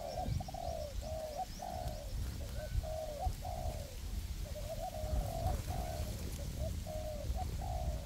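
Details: Perch and ground spotted dove decoys calling together in a forest to attract wild doves for trapping. Clear repeated coo phrases, short lead notes then a falling drawn coo, steady over low rumbling noise.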